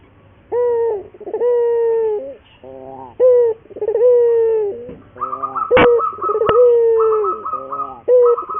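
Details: Local Barbary dove (burung puter) lure song used to train other doves to sing readily: a low, mellow coo with a short opening note and a long, slightly falling drawn-out note, repeated. A steady higher whistled tone joins midway, with two sharp clicks.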